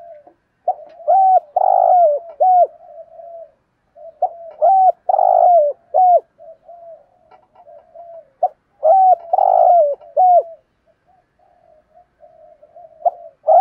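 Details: Spotted dove used as a decoy to lure wild doves gives a full calling repertoire of low, mellow cooing phrases about every four seconds, each a soft run of hoots with louder, fuller notes in the middle.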